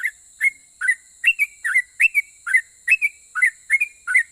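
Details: Bulbul song meant to draw answers from rival bulbuls, 'ropel' style: even series of clear whistled two-part notes, roughly three per second, each a quick slur, against a faint continuous high hiss.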